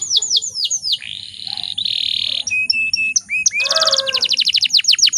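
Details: Female canary in heat used to provoke males: falling whistled notes, two long buzzy rolls, short flat pips, a rising slur, then a quick ringing trill of downstrokes.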